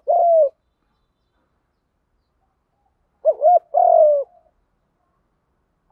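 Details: Spotted dove used as a lure for wild doves, cooing in the field fighting style. A falling coo ends one phrase, then a wavering double note and a long sliding hoot follow after a silent gap.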